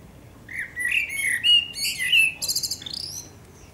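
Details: Eurasian blackbird singing at sunset in Akersloot, the Netherlands, on 30 March 2018: low fluted whistled warble around the middle of the phrase, rising into a higher, squeaky twittering flourish at the end.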